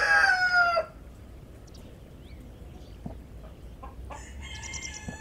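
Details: Backyard chickens in a garden eating grass and greens; the end of a loud descending crow opens, then soft scattered clucks, and a shorter harmonic crow near the close.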